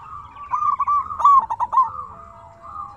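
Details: Local zebra dove singing to draw replies from other doves: a sustained low rolling coo with a stuttered burst in the middle, over a steady low background hum.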